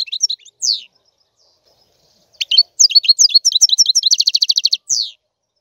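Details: European goldfinch giving a few scattered chips, then a sustained phrase of rapid twittering that builds into a fast, regular trill and ends on a downward slur.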